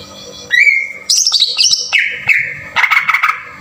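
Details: Lure recording of a green leafbird in rough 'tembakan kasar' style, meant to provoke singing: a sustained whistled note, then a descending series of sharp buzzy phrases stepping lower, ending in quick chattered notes.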